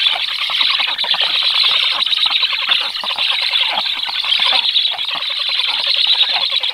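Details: Black stork chicks at the nest beg during a 14-second feeding visit by an adult, 21 July at 18:36, with continuous harsh, wheezy hissing, rapid rattling clicks and flapping wings, never pausing.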